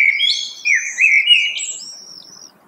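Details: Rich warbled phrases from a common blackbird, sliding and looping through several quick notes, then a drawn-out, thin high whistle that fades at the end. The background is quiet.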